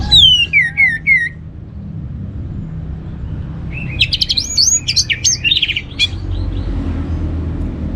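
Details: Orange-headed thrush lure song meant to get other birds singing: a run of descending slurred whistles, a pause over steady low hum, then a dense burst of high, twisting notes.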